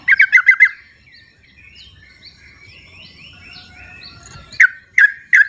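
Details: Wild Sooty-headed bulbuls answering each other, a lure for bulbuls that stay silent; a fast four-note bubbly phrase, then scattered single sharp notes, while other birds twitter softly and an insect buzzes.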